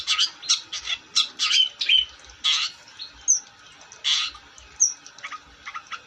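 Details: Long-tailed shrike in full song: a run of rasping, noisy bursts about twice a second, broken by short, sharp whistled notes that slide downward, with quieter gaps between phrases.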